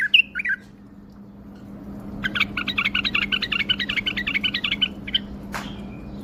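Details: Bulbul singing with wing display: a brief slurred note, then a fast even run of about fifteen sharp chirping notes over nearly three seconds, followed by a single note and a click, over a constant low hum.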